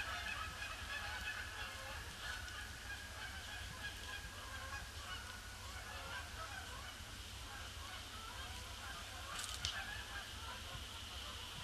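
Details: A seemingly unending influx of Canada geese circling a pond before landing, Boxing Day 2015 under a gloomy sky; constant overlapping honking chorus with a sharp brief noise burst near the end over low rumbling.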